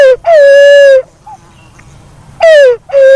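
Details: Black-naped fruit dove calling: a long level hoot closing one phrase, a pause, then another short falling note leading into a steady hoot.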